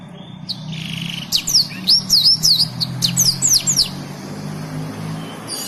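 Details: ['Master song of a black-throated canary for tutoring canaries, blackthroats and yellow-fronted canaries, with a short run of quick, high descending sweeps and thin twittering notes following a buzzy trill, with a steady low hum behind.']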